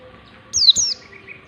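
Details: Warbling white-eye in ngalas-style song, used as a lure to teach white-eyes to sing; two quick, very high whistled notes, each sliding downward, over faint background hiss.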